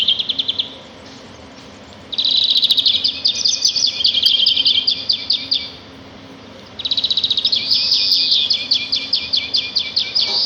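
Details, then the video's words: Sparrow song outdoors in nature: long bursts of fast, even, high chirps repeated in a rattling trill, separated by quiet gaps of about two seconds. A low steady hum runs throughout. "صوت العصافير في الطبيعة"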